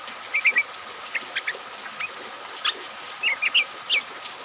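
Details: Yellow-vented bulbul singing in the rain, used as a lure to get other bulbuls singing. Short bubbly clusters of three or four quick notes are spaced a second or more apart, over a steady hiss of rain.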